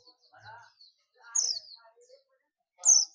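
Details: Oriental white-eye of the buxtomi type giving its ngalas call to summon companions: two short, bright, high downward-sweeping chirps about one and a half seconds apart, with faint murmuring voices in between.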